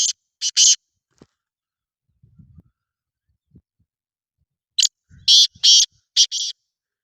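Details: Black francolin calling: two bursts of harsh, grating, broadband notes, a pair of short ones at the start and a loud run of four near the end, with soft low thumps in between.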